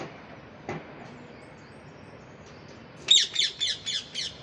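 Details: Pet parrot: after a quiet stretch with one faint click, a burst of five harsh, high, rasping squawks in quick succession, each about a quarter second long.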